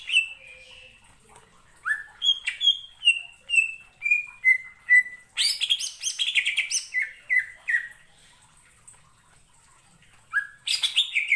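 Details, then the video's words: Greater green leafbird (cucak ijo) in energetic full song, used to provoke other birds into singing: clear whistled notes stepping downward in series, then a dense burst of rich, varied phrases and a final rising flourish. "pancingan cucak ijo gacor ngentrok‼️ampuh bangkitkan emosi"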